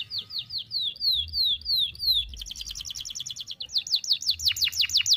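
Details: Chatty canary singing one long unbroken phrase with sharp, piercing bursts, played to young canaries so they learn to sing quickly. Loud descending slurred whistles, then a rapid buzzy trill and a series of sweeping rising notes, strong and clear.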